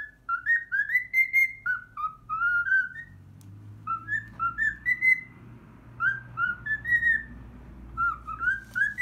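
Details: Cockatiel whistling a learned version of the Pythagora Switch opening theme: clear bright notes in short phrases, some gliding upward, separated by brief gaps over a low rumbling background.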